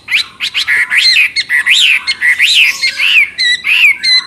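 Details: Chinese hwamei pouring out a loud, continuous song of sweeping whistled notes, many arching up and down, mixed with sharp clicks and buzzy bits, delivered almost without pause.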